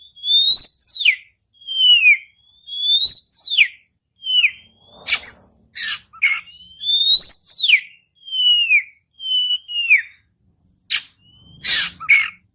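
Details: Kept white-rumped shama song used to prompt another bird to sing: loud whistled downslurred phrases in repeating groups, broken by harsh buzzy bursts and sharp rasping notes toward the end.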